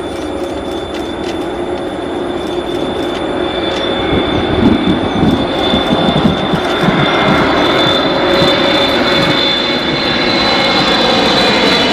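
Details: Steady mechanical rumble and hum, like an engine or passing vehicle, with no clear animal calls.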